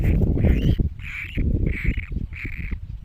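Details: Great cormorant chicks give five harsh, nasal squealing calls in quick succession, each drawn out and evenly spaced, over loud low rumbling and handling noise.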